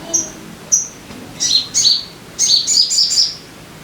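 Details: Sogon, played as a lure to get caged birds singing quickly: two thin high whistles, then bursts of sharp, bright chirped notes repeated in quick runs, clear over a quiet background.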